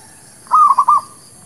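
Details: Zebra dove, or merbuk kampung / perkutut lokal, in a lure recording for trapping: one brief burst of four rapid, even cooing notes, the first held slightly longer.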